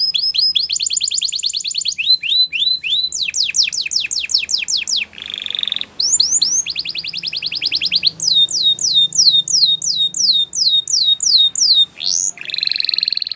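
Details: A Belgian canary sings for preschool canaries to learn from: alternating bursts of rapid sweeping notes, several seconds each, broken by short buzzy low trills, loud and continuous throughout.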